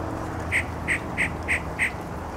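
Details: Yellow-breasted chat singing from arundo along the Santa Clara River, Oxnard: five evenly spaced, clucking mid-high notes, about three per second, over a soft low background rumble.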